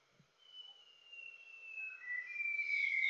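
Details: A White-browed shama (Copsychus luzoniensis), an endemic resident of Greater Luzon in the Philippines, sings long, pure, high whistles: one drawn out and slowly falling, then a lower, louder note ending in a brief rich flourish.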